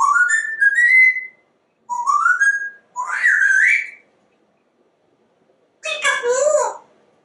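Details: Talking male African Grey Parrot, indoor pet; rising whistled phrases in three bursts, each climbing in pitch, then after a pause a rough, throaty speech-like call.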